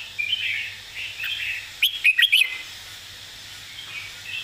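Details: Red-whiskered bulbul singing a clear 'master song' phrase with emphatic notes: a loud burst of four or five quick, rich whistled notes near the middle, with softer warbling from other birds before and after.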